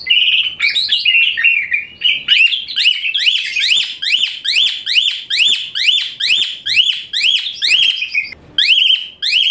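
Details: Asian pied starling singing a shrill, high-pitched training song for other birds, with harsh rising whistled notes repeated about once per second in a steady, insistent series.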